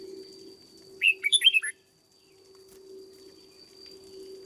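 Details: One short, rich phrase of five quick warbled whistles from a caged red-whiskered bulbul being trained as a decoy bird, then quiet apart from a steady low mechanical hum.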